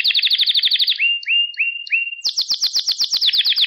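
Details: Canary singing for teaching young birds their song: quick pulsed trill, a few rising whistled slides with soft chips, then a loud rapid rolling trill repeated about four times a second.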